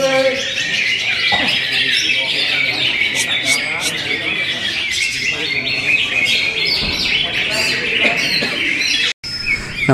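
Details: Greater green leafbird pouring out a long, dense warble of chirps, squeaks and whistles, broken by a brief cut near the end. Human voices are faintly audible.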